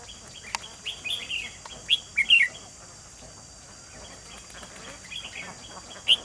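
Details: Decoy red-whiskered bulbul used to lure wild bulbuls into a trap, recorded 28 June 2020; a few short, bright chirped notes scattered over several seconds, the loudest near the middle and at the end, over a steady high hiss.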